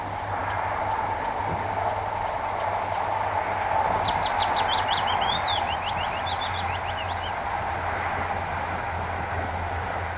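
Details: A male Willow Warbler sings on his territory on a very windy June 2014 day at RSPB The Lodge, Sandy, Bedfordshire: one soft, sweet four-second phrase cascading downward, over a low rumble and hum.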